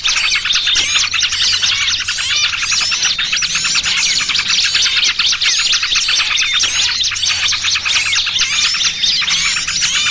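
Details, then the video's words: Small birds calling in a trapping lure mix, trucukan ribut with 'burcil kejepit': thick overlapping twitters, squeaks and zigzag notes repeated about twice a second, loud and unbroken. "Suara Pikat Burung Kecil Paling Ampuh!! trucukan ribut kombinasi BURCIL KEJEPIT"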